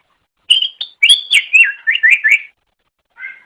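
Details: Greater Green Leafbird song from a master recording for training songbirds: clear whistled notes, then a run of five wavering, rolling whistles, silence, and one soft closing note.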